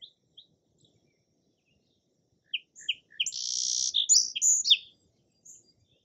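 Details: A song sparrow sings three short, sharp, separate notes, followed by a long buzzy trill and a quick jumble of varied chirps. Faint isolated chips come before and after the song, with a quiet background.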